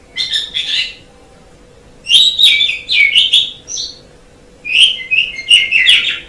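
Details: Black-collared starling delivering three bursts of dense chattering song, mixing buzzy notes, squeaks and clear whistles, each burst about a second long with quiet gaps between; faint hum in the background.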